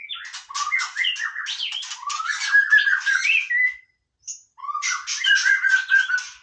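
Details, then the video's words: White-rumped shama delivering a dense, jumbled warble of scratchy notes and sliding whistles, a short pause, then another similar rambling phrase. "นกกางเขนดงร้องเล่น Shama Bird"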